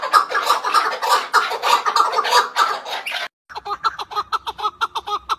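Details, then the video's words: Chukar partridge giving crowded, overlapping clucks for about three seconds, then a short silence and a cleaner run of evenly spaced, throaty chuk notes. "Keklik sesi"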